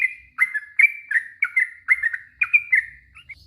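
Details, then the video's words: Short burst of Yellow-vented bulbul 'ropel panjang' song, meant to provoke a reply: chattering, liquid slurred notes in quick succession, ending in a softer higher note. "Suara trucuk ROPEL PANJANG,,trucuk stress trucuk bisu pasti nyaut seketika"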